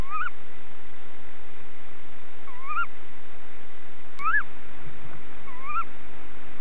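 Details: An older sibling tawny owl chick being fed at a nest box gives four short, squeaky, rising-then-falling begging calls, about one and a half seconds apart, over a steady low hiss.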